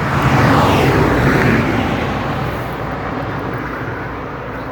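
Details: Loud broad rumble of a passing aircraft or vehicle, fading over the seconds, with no animal voice heard.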